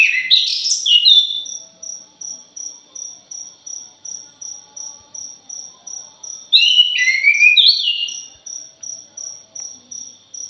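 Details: Punglor jali (orange-headed thrush) lure recording: two separate bursts of tumbling, descending whistled and chattering notes, several seconds apart, punctuate a long run of regular high ticking pulses.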